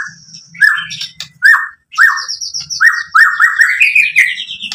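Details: White-rumped shama song used to provoke other birds into singing: rich whistled phrases around mid pitch, rising slurred notes and bursts of high chatter, with short pauses between loud phrases.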